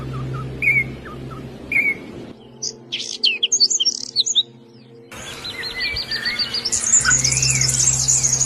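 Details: Birds chirping in a spliced sequence: short whistled notes near the middle range, then a burst of high rapid twitters, then a dense high trilling chorus with a steady low hum beneath.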